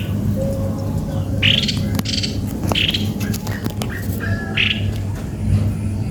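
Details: Cucak kopi-kopi giving a few short, squawky chirped notes spaced irregularly over about six seconds, set against a steady low hum.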